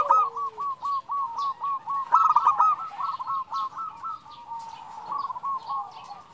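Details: Female zebra dove calling its mate: a long run of evenly spaced, clipped coo notes, about four per second, briefly rising into a denser cluster, then fading into softer trilling.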